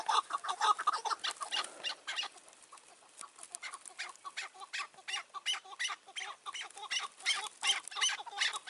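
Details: Chukar partridge, a caged decoy with a wild bird nearby, in May 2024. Loud rhythmic clucking chuck notes open the recording, then a quieter stretch, then another burst of repeated harsh chuckling calls.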